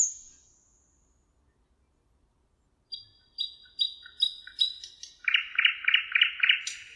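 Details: Thrush nightingale singing by the Emajõgi river in Tartu, Estonia, on 1 June 2018: after near silence, a series of clear high whistled notes quickens, then gives way to five loud, buzzy, rattling phrases repeated about every third of a second.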